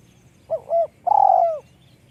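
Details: Spotted dove with a high voice giving one cooing phrase: a short note, a flatter held note, then a long rough coo falling in pitch, over a low background hum.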